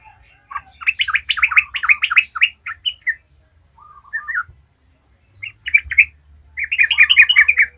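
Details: Trucukan, the Yellow-vented Bulbul, in busy 'gacor ngalas' singing used as a lure: dense chattering, warbled phrases, a brief lower-pitched interlude and short gap, then another rich bubbly burst.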